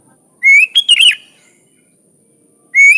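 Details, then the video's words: Sooty-headed bulbul (kutilang) singing vigorously with natural fills: a clear rising whistle runs into a tumbling, liquid warble. A second phrase begins at the end. Silent background. "Suara Burung Kutilang Gacor full isian alam"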